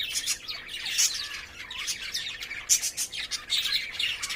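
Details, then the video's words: Caged lovebirds courting and playing: rapid high, scratchy chirps and squeaky tweets tumble over one another in irregular bursts, with a few sharper whistled notes standing out. "love birds 🐦 making sound 🔊 and playing"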